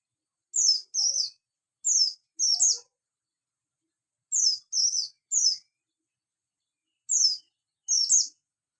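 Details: A buxtoni Javan white-eye calls in the morning with bursts of two or three piercing, high, downward-sliding chirps, the groups spaced by short pauses.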